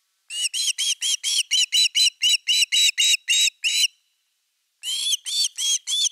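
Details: Osprey at the nest, 30 August 2021, evening fish, captured by nest camera: a rapid, insistent string of about thirteen high, arched whistled notes, almost four per second, a pause, then four more, no other sounds.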